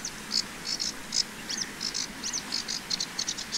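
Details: Common linnets, male and female, in spring on 11 April 2023 at the Site Pierre Constant regional nature reserve, Pays de la Loire, France. Quick high twittering chirps repeat in rapid bursts over a steady hiss.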